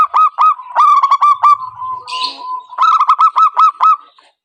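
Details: Zebra dove (perkutut) lure call used in trapping: rapid ringing notes, a softer drawn tone with a brief hiss in the middle, then another fast run of hooked notes.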